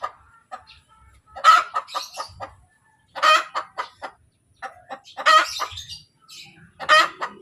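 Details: Post-laying cackle of a domestic hen: a series of choppy clucks, each building to a hoarse, emphatic squawk, four times in quick succession, with soft background knocks.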